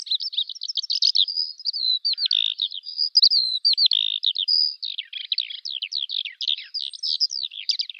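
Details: Eurasian skylark delivering its endless high warbling song, rapid chirps, brief buzzy notes and trills running on without pause, with no other noise present.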